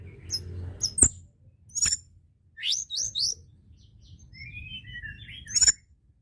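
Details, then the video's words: White-browed shortwing song for rousing other birds: sharp clicks, a burst of high buzzy notes, then a quieter string of thin rising and falling whistles, over low background noise. "Tledekan gunung gacor!!! ampuh pancing emosi burung bahan"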